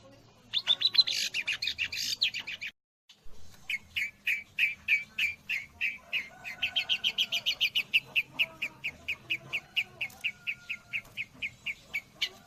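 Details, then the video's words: Long-tailed shrike singing with imitations of the white-rumped shama; a dense burst of chattering notes, then a long steady series of sharp repeated chips, about three or four per second. "Burung cendet isian murai batu"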